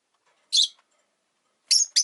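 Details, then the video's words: Caged rosy-faced lovebirds, five kept near a window, chirping in winter: one buzzy, rasping chirp, a pause, then two quick shrill chirps. "冬とか関係なく良く鳴く子【Lovebird Chirping Sounds"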